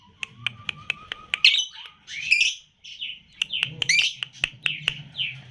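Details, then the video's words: Lutino lovebird with red eyes, three months old, gives spaced sharp clicking chirps, then squeaky rising and falling twittering notes interspersed with more clicks. "LOVE BIRD PAUD LUTINO MM USIA 3 BULAN JEDA RAPAT"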